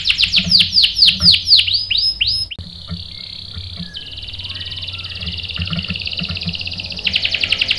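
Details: Rolling canary song played as bait to excite a male into singing: sweeping downward whistles repeated rapidly, then a long, high buzzing trill that ends with a burst of quick chattering notes.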